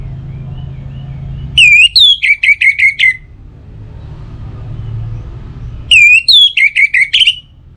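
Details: Two phrases of orange-headed thrush song, a lure for morning and evening to set other birds singing: each starts with a loud whistle and runs into quick repeated notes, a few quiet seconds between them, with a low hum.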